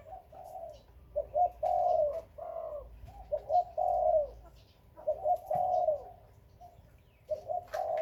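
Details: Captive-bred spotted dove of Khmer and Malay lines repeating its cooing phrase roughly every two seconds. Each phrase has short stuttered notes before a long, smooth, falling coo, with light clicks behind.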